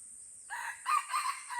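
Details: Red junglefowl in the Lamteuba jungle of Aceh, amid a bloody fight: a short crow with a soft opening note, then three louder harsh bursts in about a second, over a steady high insect whine.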